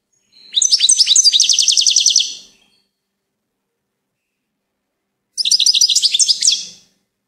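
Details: Goldfinch song: two rapid bursts of bright, high twittering, each about two seconds of quick repeated chirps and trills, separated by a few seconds of silence.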